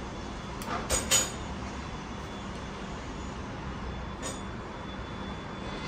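Steady broadband rumble like passing traffic, with a few brief clattering knocks and no animal voice.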